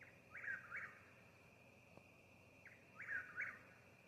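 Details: Eastern whip-poor-will in a Mississippi yard gives two whistled phrases about two and a half seconds apart, each a brief opening note then two swooping slurred notes, over a steady shrill drone and faint low rumble.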